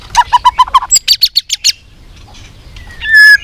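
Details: White-rumped shama, a contest bird in training for singing duels, giving a phrase of about seven short, evenly spaced mid-pitched notes, then a run of brighter higher notes, a pause and a final loud whistled note.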